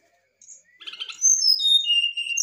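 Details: Excited brown-chested jungle flycatcher song: clear, high whistled notes sliding down in pitch, preceded by a brief buzzy chatter, in a quiet setting.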